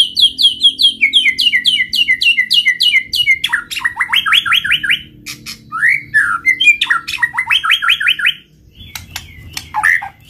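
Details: White-rumped shama singing to provoke responses from other shamas: a long rapid series of repeated high double notes, then falling buzzy strokes, a swooping whistled figure and more fast repeated notes ending in scattered chirps.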